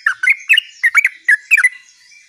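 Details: Short rolling gacor ngerol phrase of a sooty-headed bulbul: quick groups of liquid, gurgling notes bouncing up and down, then a brief quiet end.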